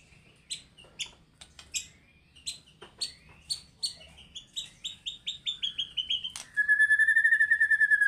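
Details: Fighter-style White-rumped shama showing its repertoire: a series of sharp paired chip notes that quicken into a rapid run, ending in a long, even, buzzy trill.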